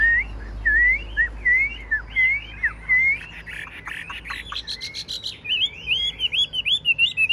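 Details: A tame, large-bodied, golden-beaked caged Chinese hwamei sings loud, rich whistled phrases, looping and slurred, then quickening into rapid varied notes and trills; faint background voices.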